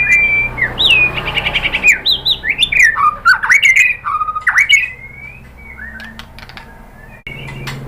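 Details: Song of a White-rumped shama, played to provoke captive birds into song: a rich run of whistled notes sweeping up and down with buzzy rattles mixed in, trailing off into softer whistles.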